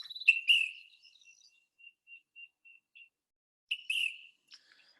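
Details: Ash-throated Flycatcher (Myiarchus cinerascens) at Point Reyes in spring migration, first heard since last summer: two burry, rolling whistles likened to a policeman's whistle, with a thin series of soft, evenly spaced clicks between them.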